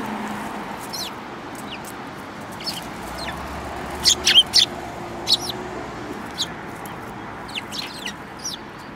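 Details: Group of sparrows, one yellow-beaked, on 29 January 2018: brief sharp chirps, with a loud cluster around the middle and scattered single notes after, set against constant low rumbling background noise.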